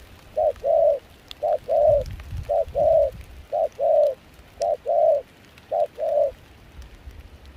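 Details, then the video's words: In chilly wind and rain at Kon Tum, a wild-caught decoy spotted dove with a mixed foreign-style voice gives evenly spaced pairs of coos, a short note then a longer one, about once a second, ending in quiet. "Gác cu khi trời mưa gió se lạnh.bổi giọng pha nước ngoài chơi tốt"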